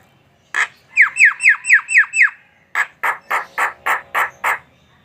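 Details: Javan myna, kept tame, delivering a series of six sharp descending whistled notes, then a run of harsh nasal squawks repeated about four times per second.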